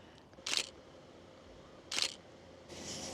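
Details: Two sharp camera shutter clicks about one and a half seconds apart, then a soft hiss, over a quiet outdoor background without animal calls.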